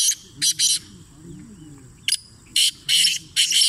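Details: Black francolin calling in winter: loud, harsh, rasping bursts given singly and in quick pairs or triplets, separated by short pauses, with faint low murmuring voices in the background.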